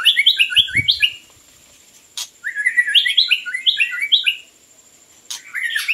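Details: Song of a white-rumped shama (Copsychus malabaricus), played to lure birds: fast series of bright chirping notes, repeated about three times a second in two bursts, with sharp clicks and a steady faint high tone.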